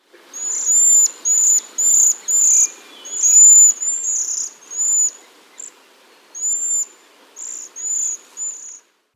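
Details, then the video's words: A flock of Cedar Waxwings flying from tree to tree searching for fruit or snatching flying insects gives thin, high, wispy, insect-like trills, each about half a second, repeated in a loose overlapping series as several birds call together. "they fly from tree to tree searching for fruit or snatching up flying insects all the while uttering their wispy insect-like call"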